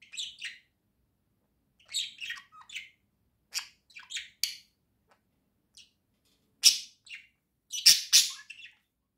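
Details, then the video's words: Pet budgerigars indoors in the morning, a pair of birds: bursts of quick raspy chirps and chattering notes in clusters of three or four, with loud sharp clicks near the end. "доброе утро🔆🦜🦜😊❤️✨️волнистые попугайчики"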